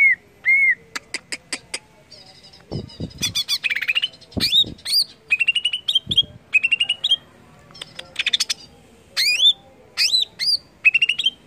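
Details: Varied greater green leafbird song meant to get other leafbirds singing: clear upswept whistles, rapid ticking runs and chattering phrases, with a few low thumps partway through.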